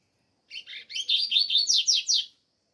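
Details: Double-collared seedeater, known locally as coleiro, singing on a cold day in Brazil: a quick, loud phrase of sharp high chirps that runs into a series of buzzy, steeply descending slurred notes, lasting about two seconds.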